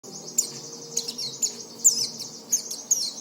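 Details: Oriental white-eye, kept as a cage bird, calling to prompt other white-eyes to sing: short high thin chirps and downslurred notes spaced irregularly over a faint steady hiss.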